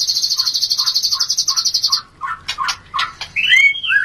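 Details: Shama mating sound for raising breeding urge: a fast, even high trill of about two seconds over lower repeated notes, then harsh clicks and a final pair of clear downslurred whistles.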